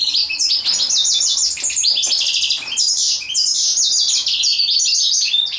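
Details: Continuous high, jingling twitter from a European goldfinch while mating, rapid notes and trills tumbling together with barely a pause across the whole stretch.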